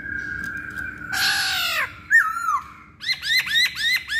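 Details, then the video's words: Masked laughingthrush song used as a lure to get other birds singing: a long steady whistle, then a harsh rasping burst, a falling slurred whistle and a quick run of five sharp, bouncing harmonic notes. "Pancingan Poksay Hongkong"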